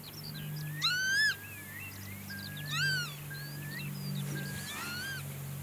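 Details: Northern lapwing recorded in the wild, giving a few slurred, down-up 'pee-wit' calls rich in harmonics, with fainter overlapping calls of other lapwings behind and a steady low hum throughout.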